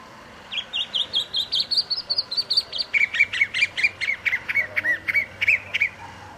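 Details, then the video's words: A chalk-browed mockingbird sings a quick run of chirpy, scratchy phrases, about three per second, high notes first and then lower repeated ones, over a faint low hum. "O Canto do Pássaro Sabiá do Campo"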